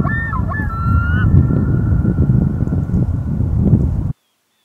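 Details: Loon on a local pond in May gives a quick wavering burst, then holds one long, level, clear note for about three seconds, with strong low wind noise throughout. The sound stops abruptly.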